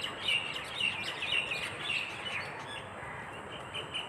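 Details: Birds chirping in flocks at a dewy dawn along a rural path in Bangladesh; repeated high chirps and short twittering notes from several birds at once, steady rural background hiss.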